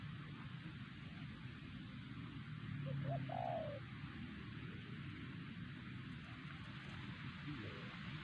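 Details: Wild spotted dove at Siosar, a target bird being lured with a trained decoy, gives one cooing phrase: a quick soft note, then a drawn-out, slightly falling hollow coo, over continuous low rumble and hiss.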